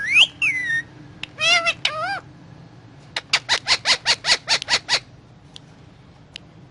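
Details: Indian ringneck parakeet talking while eating guava: wavering whistled phrases and nasal harmonic syllables, then about ten short sharp pulses in even succession, then a few faint clicks.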